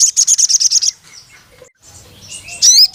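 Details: Sogon, the crimson sunbird, calling a rival male with a quick train of about eight piercing high chips, then near silence, ending in a loud twisting, buzzy high phrase.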